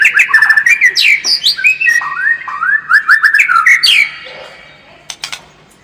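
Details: White-rumped shama singing a combative lure song: loud, varied phrases of looping and slurred whistles, some descending and some rising, that crowd closely together for four seconds, then fade to near silence with a few faint notes.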